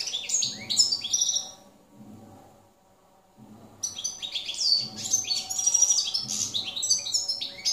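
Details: Field goldfinch singing in 2017: a short twittering phrase, then roughly two seconds of near quiet, followed by a renewed burst of fast, high, jangling chirps and slurred whistles; faint low hum throughout.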